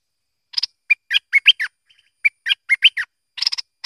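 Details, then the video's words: A merbah lekir or kuning bulbul repeats a short phrase of clear whistled and slurred notes twice, with a buzzy burst at the start and at the end. "lekir org memang padu!!"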